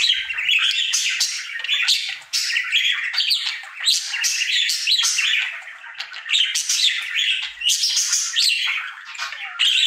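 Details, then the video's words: Busy, nonstop budgie warble from a cheerful pet male during his daily singing routine: high squeaks, buzzing rasps and sharp clicks packed together with scarcely a break. "Budgie singing for 1 Hour Happy song!"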